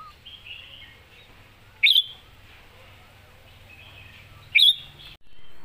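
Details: Red-whiskered bulbul competition bird giving two short, sharp song notes about three seconds apart, against soft twittering from other birds.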